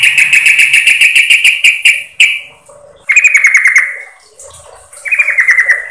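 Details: Female yellow-vented bulbul lure call to attract the male: a fast rattling trill of bright pulses for two seconds, followed by two downward-sliding chattering bursts.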